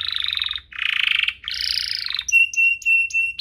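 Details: Canary song from a compilation for prompting canaries to sing and training young birds: three thick buzzy rattling rolls followed by clear, separate flat whistled notes repeated at short intervals.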